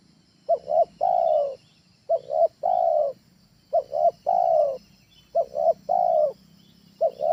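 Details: Tekukur ajaran, a trained spotted dove whose call lures birds at home: regular rhythmic phrases, each two short coos then a drawn-out lower coo, repeating about every 1.6 seconds, five phrases heard. Light background hiss.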